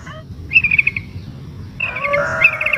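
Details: Sooty-headed bulbul female in breeding condition calling to a male, with a brief rapid trill followed by a longer, harsher chattering phrase.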